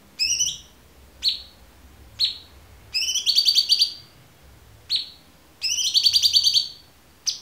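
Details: Cucak cungkok with clear song meant for training other birds: short sharp downslurred notes alternating with two rapid rattling trills, all loud over a quiet background.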